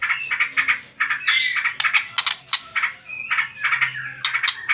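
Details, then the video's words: White-rumped shama giving trotol song as a lure for prompting other birds to sing: choppy bursts of fast rattled notes with sharp high clicks and one rising whistle, over a faint low hum. "PANCINGAN TROTOL MURAI BATU"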